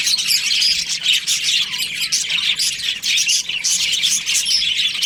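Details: Breeding-season budgerigars in a colony keep up an unbroken chorus of shrill tweets, chirrups and rasping squawks, many birds calling at once, with brief dips in volume.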